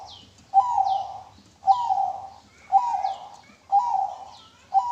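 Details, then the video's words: Local zebra dove singing, a recording meant as a lure: mellow cooing phrases near the same pitch, repeated about once a second, with faint descending whistles higher up between them. "PERKUTUT LOKAL MANGGUNG SUARA JERNIH"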